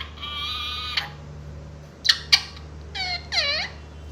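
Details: Green Indian pet parrot talking, said to be saying "mummy papa": a long nasal harmonic tone, then two short clipped syllables and two swooping curved syllables, over a steady low indoor hum.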